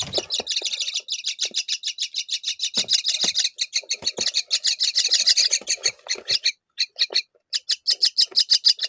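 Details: Myna feeding fig to her babies; a rapid series of harsh, raspy notes about three per second, high and buzzy, running steadily before breaking into shorter bursts near the end.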